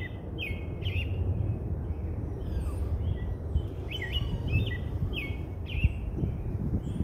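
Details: American Robin singing at Roberts Bird Sanctuary: short, clear whistled phrases, rising and falling, in a loose series, over a steady low rumble of wind or distant traffic.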